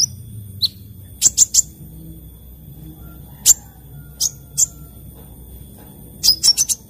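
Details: Sunbird singing actively in the morning: scattered sharp, very high chirps, single notes and a quick cluster of three, plus a few clipped high notes near the end, over quiet low background hum.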